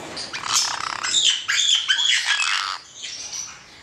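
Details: Hand-reared male black-headed caique giving harsh, loud squawks in quick irregular bursts, broad and raspy, with a few brief whistled tones mixed in.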